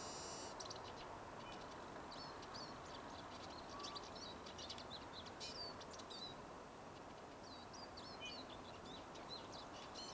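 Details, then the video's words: A Eurasian siskin sings a quick, high twittering of short chirps and trills in two bursts with a brief lull between, over a steady background hiss; recorded 10 April 2019. "Vihervarpunen laulaa"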